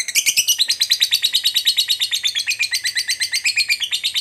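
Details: Lovebird delivering a long ngekek trill, a sound used to provoke a rival lovebird. Fast rattling high notes, about three per second, flow without pause for four seconds, the pitch stepping up slightly early on.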